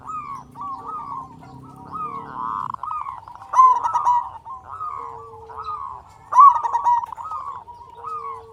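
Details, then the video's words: Strong-voiced local zebra doves singing to provoke silent doves into song: a steady run of cooing phrases, with two louder bursts of fast, staccato notes about three seconds apart. "Perkutut Lokal Gacor Suara Besar Pancingan Burung Perkutut Agar Cepat Bunyi"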